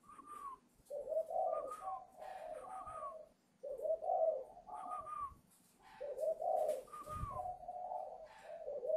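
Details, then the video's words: Young spotted dove from Ba Vì, Hanoi, Vietnam, being trained after its voice broke; four loud song phrases about every two seconds, each a slurred higher note over rolling low coos, separated by short pauses. "chim vỡ tiếng chuẩn bị lên khách ngày 10 /11"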